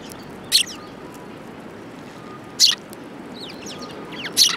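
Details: Sparrows gathering at food at a Tenmangu shrine on 22 January 2018; three short, bright, high chirps spaced about two seconds apart over a soft steady background hum.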